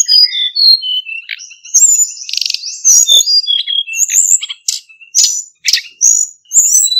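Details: Male Hill Blue Flycatcher lure song used to trap birds, sung in forest voice: a long, loud, continuous run of high clear whistles and quick trills with crisp clicking accents.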